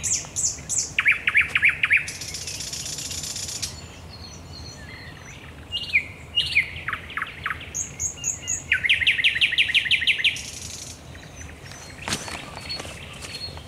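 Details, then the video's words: Thrush nightingale in nocturnal song at the Raszyn Ponds, 10 May 2021, alternating rapid rattling trills, noisy hissing bursts, strong knocking notes and high piping, phrases separated by brief quiet gaps. "Nocny śpiew słowika rdzawego"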